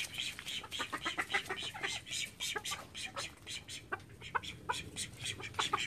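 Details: Call ducks of a thirteen-bird household flock produce a continuous chorus of shrill, rasping quacks in quick uneven bursts, multiple voices overlapping throughout.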